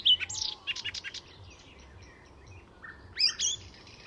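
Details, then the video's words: Icterine warbler at Fysingen, Sweden, a bird that borrows calls and songs of many species: a quick run of scratchy high notes, a quiet gap, then a short loud phrase of rising chirps over faint low hum. "Icterine Warbler in full song; A master of mimicry…"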